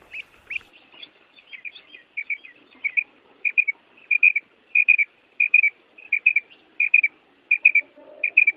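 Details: Female quail calling in the breeding season to rouse males to call: soft high paired notes repeated steadily, roughly every half to three-quarters of a second, growing louder through the sequence.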